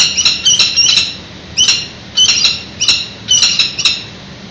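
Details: Adult male peregrine falcon on a nest ledge in San Francisco, calling to the female at a nest exchange during incubation in mid-February around 1 pm, picked up by a webcam: sharp, high squealing notes in clusters over steady background hiss.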